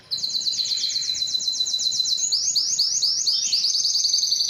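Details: A Timbrado canary sings a fast, evenly spaced high trill that turns into lower, bouncing slurred notes in the second half.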